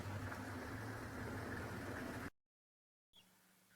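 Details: A steady engine rumble and broadband hiss, like a running vehicle, cut by a brief silence before quieter background noise resumes.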